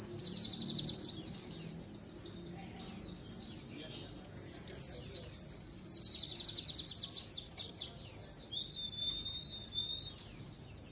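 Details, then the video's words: A flock of white-eyes calling together, a recording for luring. Continuous overlapping high twittering chirps, falling in pitch, in quick repeated bursts, with a brief low thin whistle near the end. "SUARA KOLONI PLECI COCOK BUAT PANCINGAN PLECI AGAR CEPAT NGALAS | SUARA PIKAT BURUNG PLECI"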